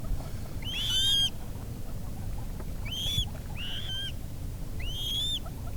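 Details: Coot in its natural wetland habitat giving short, sharp, arched nasal calls, four notes in under six seconds, two close together near the end, over a steady low rumble.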